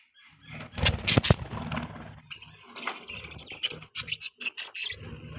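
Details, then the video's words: Pet budgerigars chirping indoors: a burst of scratchy, broadband chatter followed by a run of short, sharp high chirps and twittering notes, with some low background rumble. "Budgies chirping sounds"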